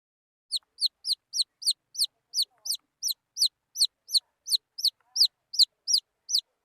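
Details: Wild junglefowl chicks peeping: a steady series of high, downward-slurred peeps, nearly three each second, with no other sounds.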